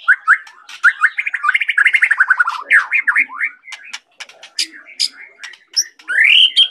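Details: White-rumped shama of the Medan type in full, vigorous song: a quick run of rising whistled notes flows into a fast stuttering series, then looping slurred phrases and sharp high chips separated by brief pauses.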